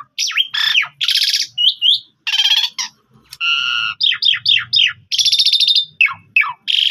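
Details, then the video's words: Javan pied starling in full song, long phrases used as a master recording for other starlings to copy: a loud, varied medley of harsh buzzy bursts, rattles and sharp descending whistles, with short pauses between phrases. "Master Jalak Suren Gacor Full Nembak Suara Panjang Mudah Ditiru Jalak Suren Lain"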